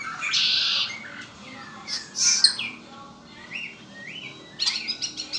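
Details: Song of a pet red-winged blackbird: a loud, buzzy, rasping trill at the start, then scattered short chirps and upslurred whistles, ending in a quick series of sharp clicking notes.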